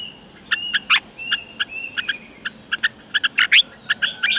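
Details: Red-whiskered bulbul song from a recording made for caged birds to copy. Bright chirps and thin level whistles come in scattered bursts over a quiet hiss.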